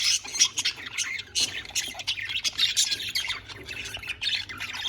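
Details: ;Several pet budgies playing in their cage, giving a dense, busy chatter of high scratchy chirps and warbles that overlap continuously with no pauses.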